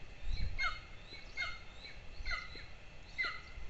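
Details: Morning feeding at a golden eagle nest in Lahemaa, northern Estonia, 22 June 2024, two chicks present, nest camera: four sharp, falling squeaky calls spaced almost a second apart above low rumbling noise.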